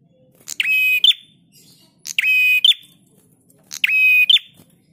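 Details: Prinia song used to train cage birds: harsh, sustained rasping phrases with a quick rising start and a bright closing note. Three repeats, spaced roughly one and a half seconds apart, with a faint low murmur underneath.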